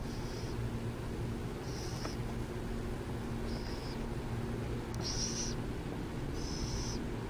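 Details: Burrowing owls in San Jose: five short, hissing, rasp-like bursts, each about half a second, spaced irregularly over several seconds, with steady low traffic-like hum underneath throughout.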